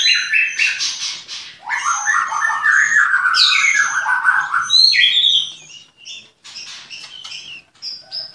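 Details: Captive white-rumped shama at a Klaten breeding farm delivering a rich, fast medley of whistles, chattering trills and sweeping slurred notes, loudest early on and becoming softer and more spaced toward the end.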